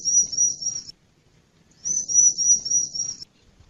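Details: High, thin trilled call from a male Bar-winged prinia, given in two sustained bursts of roughly one and one and a half seconds, separated by a brief silence. Soft low background noise.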